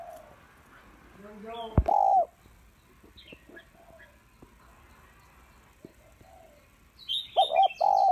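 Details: A female spotted dove calls to draw males with a single low coo, then after a long gap three more coos, against faint knocks, a sharp click and high chirps of other birds.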